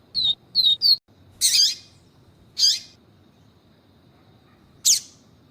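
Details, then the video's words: Yellow-bellied seedeater, with a female calling to excite the male: three short whistled notes open, then harsh, buzzy broadband calls spaced a second or more apart, separated by silence. "MELHOR PAPA CAPIM CANTO VIVITI E FEMEA CHAMANDO PARA ESQUENTAR PAPACAPIM VIVITI"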